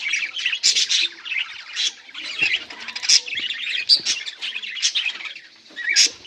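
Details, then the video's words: Several budgies, 18 July 2023, chatter in bursts of buzzy chirps and warbles separated by brief lulls, with loud sharp squeaks recurring about every second. "budgies beautiful sounds and chiriping"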